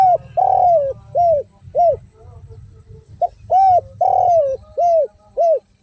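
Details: Derkuku, the spotted dove, singing actively in the 'without kuk' and 'kuk 1' styles: two phrases of five to six hollow arched coos, one drawn out in each, over a faint low hum.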